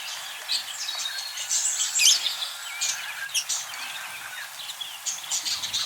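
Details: Several caged budgerigars chirp and warble at once in a busy, high-pitched chatter. Short squeaky notes and scratchy trills repeat rapidly, with a few louder sharp chirps breaking through.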